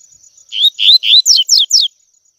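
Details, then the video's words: Double-collared seedeater singing tui tui, a song used to train young birds: three rising whistled notes, then three fast, evenly spaced downslurs, loud and clean over a thin constant high tone. "ENCARTE COLEIRO TUI TUI P/TREINAR PARDINHO A CANTAR TUI TUI"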